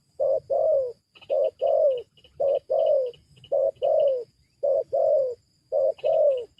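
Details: Cooing spotted dove used to lure wild doves down: evenly spaced pairs of a short coo and a longer falling coo, about seven pairs in six seconds, with light twittering of small birds behind.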